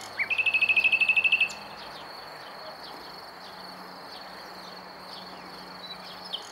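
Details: Near Montana, Bulgaria, 23 May 2020, a common nightingale gives one sharp note, then a fast even trill of about twelve clipped notes lasting just over a second. A long quiet pause follows under a constant high-pitched background drone.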